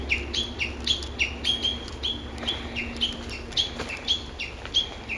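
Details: Japanese bush warbler in park woodland, recorded 06/12, giving a long rhythmic series of clear two-part whistled notes that drop in pitch, about two per second, over a faint low background drone.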